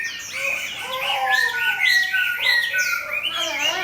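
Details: Chinese hwamei set beside a fighting bird in competition, singing loud rolling whistled phrases with repeated arching notes, several per second, over a quiet background.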